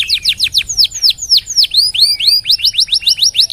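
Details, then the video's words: Caged canary song used to tutor other birds: bright, high downward-slurred whistled notes repeated about four times a second, with a brief rising phrase midway before the steady series resumes. "KENARI SUPER GACOR DURASI NGEDUR PANJANG....COCOK BUAT MASTERAN SEMUA BURUNG"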